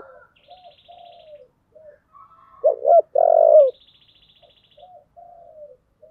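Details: Low, resonant "giọng thổ" song of a spotted dove: one phrase of two brief notes then a long coo, framed by soft chirping birds and a faint high buzzing trill.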